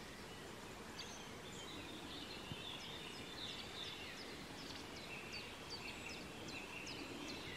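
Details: A White wagtail running quickly gives thin, high, sharp call notes in quick, uneven runs, several overlapping, over a steady hiss of outdoor background noise.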